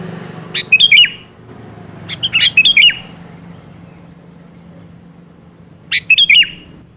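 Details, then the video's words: Sooty-headed bulbul singing as a lure for a rarely vocal bird: three separate bubbly whistled phrases, each of three or four slurred notes, spaced a few seconds apart over a quiet low hum. "pancingan suara burung kutilang yang jarang bunyi"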